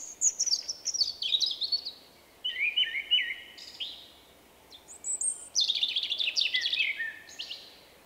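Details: In March 2024, a shy male Common blackbird sings his distinctive 'vuippi vuippi vuuu' song: high descending twittered notes, then a fluty lower phrase, and a dense high-pitched twittering burst, all loud and clear.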